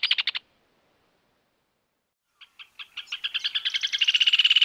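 A Rufous Hornero gives a short burst of notes, then loud, ringing notes that start spaced and speed up into a rapid, continuous trill.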